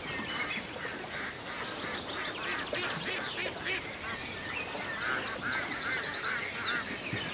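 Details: Ducks on a lake in the countryside, quacking continuously in a crowded, overlapping flock chorus. Rapid high chirping trills from small birds join near the end.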